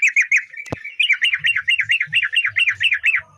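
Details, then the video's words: Sooty-headed bulbul in a continuous run of wavering, up-and-down whistled notes that repeat rapidly for almost three seconds. A single loud click is heard near the start. "DI JAMIN BURUNG TRUCUKAN KAMU CEPAT GACOR"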